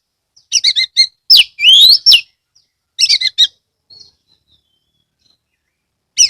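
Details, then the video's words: Lure recording of an Oriental magpie-robin (kacer) from Kebumen, Central Java, Indonesia: quick stuttering notes, a long rising whistled sweep, another rapid burst, then near silence. "pancingan kacer gacor"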